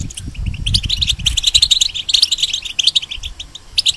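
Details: A moulting European goldfinch sings from a cage, giving quick, tinkling chirps and trills, with low thudding noise at the start.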